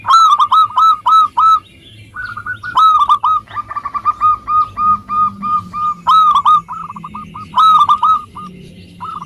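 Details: Zebra dove in full song, a local bird used to draw reluctant doves into singing: loud rolling coo phrases alternating with fast runs of clipped notes, about three per second, continuing throughout.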